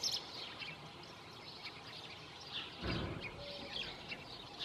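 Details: Barn swallows preening at first light in Junzano, Huesca, give soft, high twittering chirps in loose bursts over a steady background hiss, with one brief low thump partway through.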